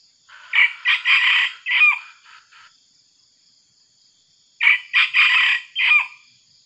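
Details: Young red junglefowl decoy, once seized by an eagle, crowing twice about four seconds apart during wild junglefowl trapping; each crow a brief choppy series of bursts ending in a clipped note, with a faint high hiss.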